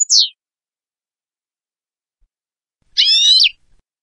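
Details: A European goldfinch song offered as a tutoring song gives a quick high descending note, then about three seconds later a brief buzzy, twittering phrase of stacked tones. Otherwise silent.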